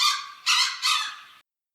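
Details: Grey Junglefowl territorial crow announcing presence: three harsh, broad bursts, each under half a second, the first longest, with a rapid, almost metallic rattling quality.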